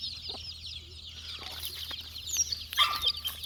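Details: Many chicken chicks, four days old, search for insects and peep continuously in shrill overlapping cheeps, with a louder squeaky burst near the end.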